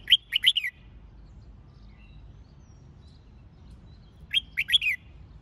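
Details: Red-whiskered bulbul delivering contest-training song: a quick cluster of four ringing whistled notes, a pause of about four seconds, then a near-identical cluster, over a quiet low hum.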